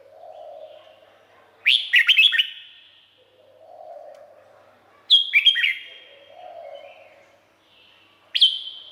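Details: Cage-kept Red-whiskered bulbul from Thailand repeating a bright, bubbling phrase of several quick whistled notes roughly every three seconds, while a soft low hum rises and fades between phrases.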